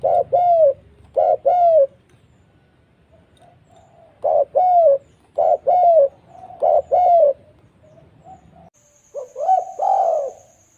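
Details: Lure call of a spotted dove for trapping: scattered pairs of arched mellow coos with quiet gaps, low background rumble, and a thin steady high-pitched tone entering near the end.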